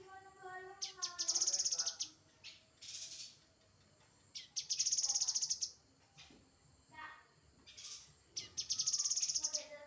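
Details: Grey-headed canary-flycatcher singing: three bursts of rapid, very high buzzy trills, each about a second long and separated by pauses, with fainter lower harmonic warbles and chirps between them.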